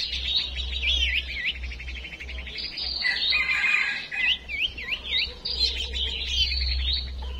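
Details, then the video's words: Songbird female decoy call used to make males sing: looping, wavering whistled notes and rapid trills, sliding up and down in repeated phrases, with a steady low hum underneath. "Chim Huýt Cô Mái Mồi Đấu"Thúc Chim Chuyền Hót Ra Giọng"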